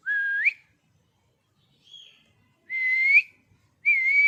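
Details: Pet parrot said to be angry, producing long clear whistles. Each one holds steady and then sweeps upward, about four within a few seconds, with a faint short note in between.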